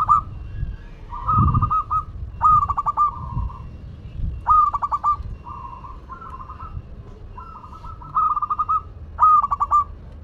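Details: Local zebra dove from Madura singing vigorously: a series of soft, rolling coo phrases, each a quick run of stuttered notes ending in a held tone, repeated every second or so, with low rumbling background noise.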